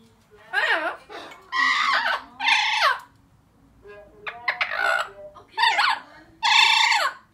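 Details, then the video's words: Indoor pet Blue-fronted amazon hen, aged four, getting chatty when it is time to come out: about six loud, raspy, talking bursts separated by brief pauses. "The Blue Fronted Amazon..Talking!"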